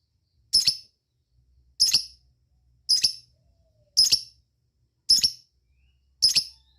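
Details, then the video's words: Lovebird calling out to companions with cik calls: six separate sharp, high, slightly buzzy chirps, spaced roughly one second apart, with quiet gaps between. "Cik cik cik cer,suara lovebird ngetik ngekek dan memanggil kawan"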